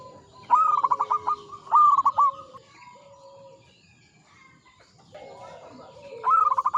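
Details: An old local perkutut, or zebra dove, sings vigorously. Two quick rolling coo phrases run back to back, a quiet gap follows, then a third phrase. Softer lower coos and faint chirps fill the background.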